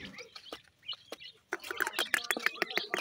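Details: Francolin chicks, called irani teetar or Dakhni pheasant chicks, giving short high chirps in quick bursts, mostly in the second half, among sharp clicks and taps, with a brief bit of human voice.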